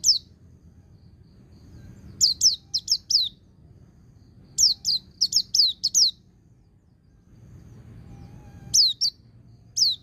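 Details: White-eye ngecir sambung ngalas song aimed at getting silent birds to answer: a lone high note, then two runs of four to five crisp falling whistles, and two spaced closing notes, with a low hum beneath.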